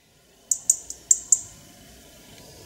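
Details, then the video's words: European robin in a forest in Ukraine: five sharp, very high ticking notes in under a second, then quiet with faint background hiss. "Вільшанка, ольшанка, зорянка спів. Robin bird in the forest."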